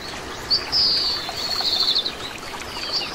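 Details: Oriental greenfinch, common resident bird throughout Korea: one long high whistle followed by a buzzy stuttering trill, with a softer note at the end, over continuous watery rushing noise.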